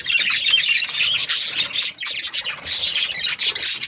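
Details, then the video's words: Budgies chirping in bursts: shrill, scratchy chirps and squawks come in quick pulses with brief dips between them. "Budgies parrot chirping sounds"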